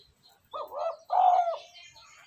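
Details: Spotted dove call played to excite and train a decoy bird: a low, hollow two-note coo, a short first note then a fuller, drawn-out second, with faint high chirps behind.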